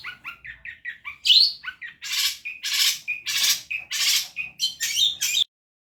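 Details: Long-tailed shrike on a bird-training recording, singing vigorously: a run of short, chirping notes, then loud, rasping, buzzy bursts roughly every half second, ending abruptly.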